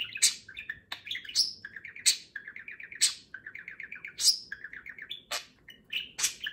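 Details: Talkative pet budgie vocalizing as another budgerigar grooms it one morning; loud high clicks and chirps interleaved with runs of rapid buzzy, stuttering notes that repeat like short rattles between the sharper calls.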